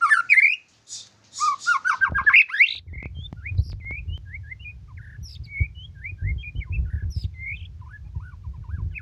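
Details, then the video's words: White-rumped shama singing a rich burst of rising and falling whistled notes in the first two seconds, then sparse high chirps over a steady low rumble. "MURAI BATU GACORRR FULL DURASI"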